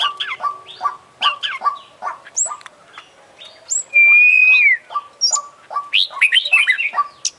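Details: Oriental magpie-robin in vigorous song with beak and tail open, mixing mimicked phrases: quick chips and sweeping whistles, a long pure level whistle sliding down at the end, then a burst of tumbling warbles over a steady low pulse.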